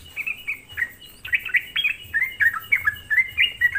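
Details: Sooty-headed bulbul song as a lure to make other bulbuls react; a soft start then a busy string of bright whistled and slurred notes, several per second.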